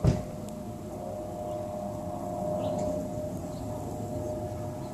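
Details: A steady low rumble like a distant engine, with a faint constant hum and no animal calls anywhere.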